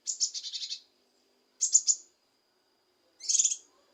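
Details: Leafbird (kinoi) song played to provoke a lazy bird into singing: three high, buzzy chattering phrases about 1.5 seconds apart, separated by silence.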